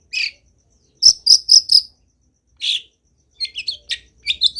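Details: Long-tailed shrike in full lively song: a lone harsh note, four quick sharp high notes in a row, a buzzy rasp, then a run of fast twittering.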